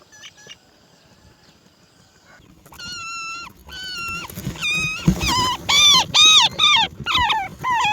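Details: Roller chick being fed black crickets by its mother: a loud series of harsh, harmonic, arched calls, repeated about twice a second after a quiet start, over low background rustling.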